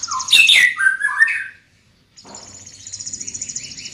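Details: Loud, varied whistles and slurs from a large-bodied greater green leafbird with a strong voice, followed by a brief silence and a faint, thin, rapid trill.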